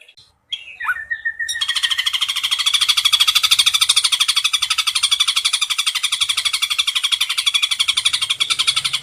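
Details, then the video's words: Ashy drongo in the nembak cililin song style, kept as a tutor bird: a brief whistled slur, then a long, very rapid, even rattle of buzzy pulses that keeps going for about seven seconds. "MASTERAN BURUNG SRIGUNTING ABU ABU MEWAH NEMBAK CILILIN 10 DETIK"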